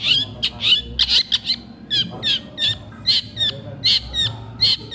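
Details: Long-tailed shrike, a lively singing bird that keeps singing even while eating; a run of sharp, harsh chattering notes between 2 and 5k, packed into bursts roughly every half second, over a steady low hum.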